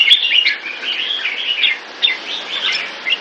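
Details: Red-whiskered bulbul, known locally as jambul, from Singapore, singing a steady run of short warbled, slurred whistles that rise and fall with barely a pause across the whole stretch.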